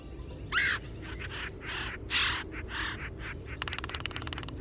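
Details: Red-headed Woodpecker (Melanerpes erythrocephalus) gives four or five harsh, scratchy calls about a second apart, then a quick burst of rapid tapping.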